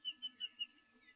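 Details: Lesser striped swallow, summer migrant that arrives to nest at this time of year, calling at a waterhole on 26 December: four short, high, clipped notes in quick succession, then a fainter thin rising note over a faint hum.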